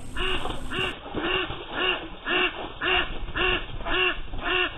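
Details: Female domestic duck, almost six months old, trapped under a deck platform by high water after a flash flood of 5.5 inches of rain, quacking frantically: loud nasal quacks repeated about twice per second in a steady run.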